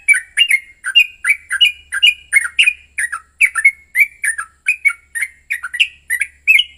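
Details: Yellow-vented bulbul in an aggressive fighting song, played as a lure to provoke another bulbul into singing: a fast run of harsh, chirping notes, about two or three each second, each dipping and rising in pitch, with no other sounds.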